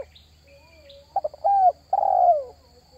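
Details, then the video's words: Spotted dove lure call for attracting wild birds: a few short clipped notes followed by two longer, level then falling coos, over a quiet background with a faint high whine. "SUARA PANGGILAN TERKUKUR TERBAIK 2023"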